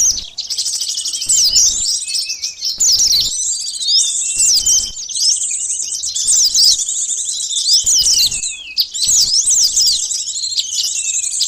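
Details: Sunbird song used as a lure for catching birds: a dense, high, thin twittering of fast sweeping and trilled notes, continuous with a few brief breaks.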